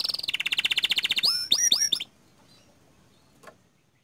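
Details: Canary of the panda color type giving a quick rolling trill followed by three looping whistled notes, then the song stops, leaving quiet with one faint click.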